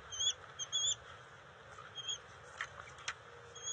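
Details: Bald eagles at their nest with juveniles during eel and fish deliveries, a scuffle and sharing, June 29, 2021: thin, high whistled notes in short bursts, clustered early then sparser, with a few sharp taps or knocks near the end.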